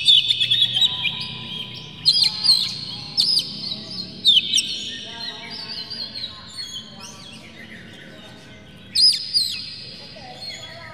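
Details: Oriental magpie-robin song played to stir other magpie-robins into singing: sustained high whistles broken by sharp clicking notes, a long sliding phrase near the middle, over a steady low background hum.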